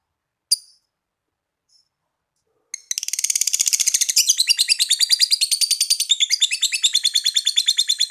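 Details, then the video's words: Lovebird giving a long 'ngekek' trill in reply: after a lone sharp chirp and a pause, a rapid, buzzy, high chatter starts abruptly and runs on without a break to the end. "Suara Lovebird Ngekekk Panjang"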